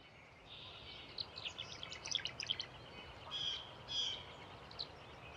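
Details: Nesting tree swallow pair, male and female, at Patuxent Research Refuge, Laurel, Maryland, 14 April 2024, give liquid high chirps and short gurgling twitters in uneven bursts over a steady background hiss.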